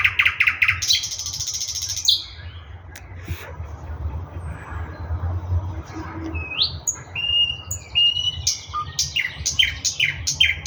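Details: Thrush nightingale song recorded in Russia: a brief pulsed trill and buzzy burst, a quiet gap, then a series of sharp descending whistled notes.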